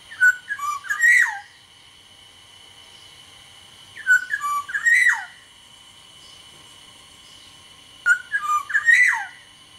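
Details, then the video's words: Black-naped oriole of the Sumbawa type (kepodang sumbawa), singing vigorously (gacor): a short liquid whistled phrase of rising and falling fluty notes, repeated three times about every four seconds, with a steady thin high tone in the background. "suara burung kepodang sumbawa GACOR DOR"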